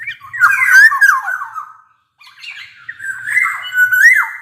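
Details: Black-naped oriole singing loudly, its flute-like song used to prompt lazy orioles to sing: two long rich phrases of slurred, falling whistles mixed with harsh nasal notes, split by a brief pause.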